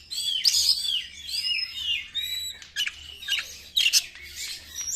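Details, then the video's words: White-rumped shama lure song: rich downslurred and rising whistles in quick series, followed by loud harsh bursts. "PANCINGAN SUARA BURUNG KACER"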